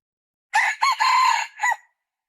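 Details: A red junglefowl crows once. A harsh, loud, four-part phrase runs from a short opening through a rising note and an extended steady note to a brief, truncated finish, with no background noise.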